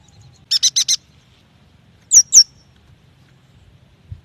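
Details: Yuhina lure recording for young or non-singing birds: a fast run of four high chattering chips, followed by two thin, very high downslurred whistled notes, then quiet.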